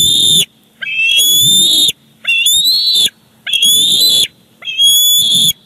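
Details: Bald eagles at a Big Bear Lake nest on 18 July 2019, with the father bringing a fish for the chick's dinner. Five drawn-out, high, whistled squeals, each about a second long and slightly rising, come between short pauses.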